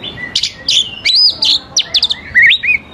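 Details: Oriental magpie-robin song used to lure young wild birds into answering: varied whistled phrases, sharp upslurred and downslurred notes with short rising and falling glides, delivered in quick bursts separated by brief pauses.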